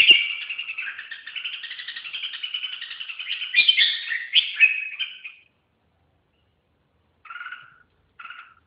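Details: Red-whiskered bulbul producing a long, buzzy, warbling stream that rises into louder accented notes and stops. After a silence, two brief, clear two-note chirps follow.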